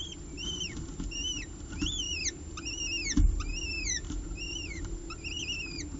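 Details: Two young peregrine falcons at a ledge nest, fed by their mother after the male delivers prey, 30 September 2018; sharp chevron-shaped squeals come in regular clusters about every half second, with steady low hum beneath.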